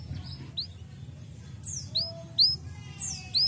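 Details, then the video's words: Canary giving scattered high, downslurred whistled notes, spaced irregularly, over a low steady background hum. "Welcher Kanarienvogel kann den Klang dieses Kanarienvogels ertragen?"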